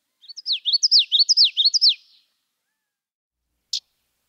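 A Common Yellowthroat sings a fast, high 'witchety-witchety-witchety' of four or five rolling phrases in under two seconds, then gives one sharp chip.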